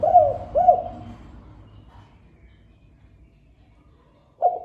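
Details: Spotted dove coos from a lure recording: two quick hooked, mellow coos at the start, then a long silence before a single coo returns at the end.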